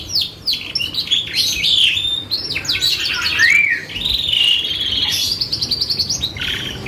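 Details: Canary singing loudly as a lure for other birds to answer: quick falling sweeps, a short rising whistle, then rich buzzy warbles and a fast trill, varied and continuous.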